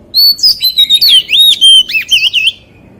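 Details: Loud white-rumped shama song in wild style: a continuous chain of rich whistled phrases with sharp upward sweeps and deep dipping slurs, roughly ten linked notes over two and a half seconds.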